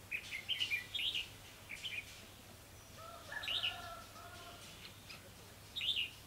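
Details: Red-whiskered bulbul decoy bird at a trapping site, giving short warbling chirpy phrases; a few lower, steadier tones sound mid-clip, with a steady low background hum.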